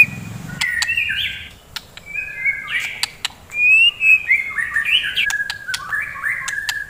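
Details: A white-rumped shama sings in the morning to arouse fighter shamas. The song is a lively mix of stepped whistles, chattering notes and frequent sharp clicks, with short pauses between phrases.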